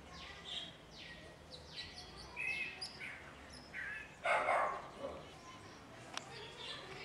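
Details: Calandria, the long-tailed mockingbird, mimicking a cat while eyeing a little dog to provoke barking; a run of quick downward-sweeping notes, then a louder harsh broadband burst midway and further thin sweeps, with steady background noise.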